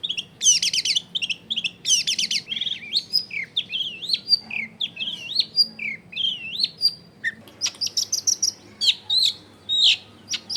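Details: Long-tailed shrike in full lively song, used as a lure to get other shrikes singing, recorded at a home in a crowded neighbourhood: bursts of buzzy chatter, then varied high whistled and warbled phrases rising and falling, with a low background hum.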